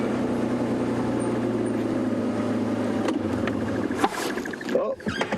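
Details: Engine drone from a safari vehicle, then clunks and handling noises, no animal calls.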